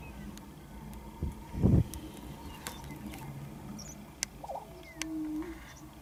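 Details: Banded male lesser prairie-chicken displaying at a lek: one brief low booming burst against steady wind noise, with faint scattered clicks and a few thin distant chirps.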